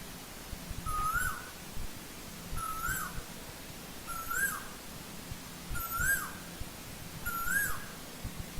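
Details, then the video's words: Asian koel in old-growth forest calling five times in a steady series about every one and a half seconds: moderately loud whistled notes that rise, then fall at the end, over noticeable low rumble. "Tiếng chim TU HÚ rừng già"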